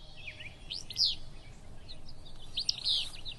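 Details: Willow Flycatcher on the Kern River Preserve on a cool early morning, near a river, gives two sneezy, burry 'fitz-bew' phrases about two seconds apart, high and quick, with soft background hiss.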